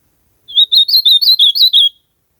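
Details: A single song phrase from an ultramarine grosbeak in the wild. It is a rapid run of roughly nine high, sweet, slurred whistles, rippling up and down and ending on a lower, drawn-out note.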